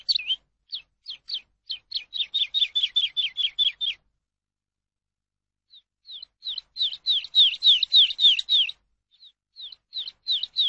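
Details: Eurasian skylark song meant to tutor captive birds: spaced high chirps speed into a dense rattling burst, a four-second silence, then another rapid run of bright, slurred notes and a few trailing chirps.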